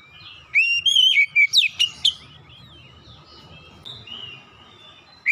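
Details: Oriental magpie-robin song, offered as therapy for a bird that has stopped singing: one rich phrase of rising whistles and quick sharp notes, then soft faint warbles over steady background noise.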